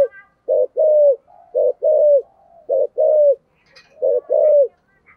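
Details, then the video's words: Spotted dove kept as a decoy, cooing in the 'giọng thổ' style: four phrases, each a short hoot followed by a longer falling croon. The phrases repeat about every second, low and mellow, with faint chirps behind. "cu gay giong tho cuc dinh, cu gáy giọng thổ"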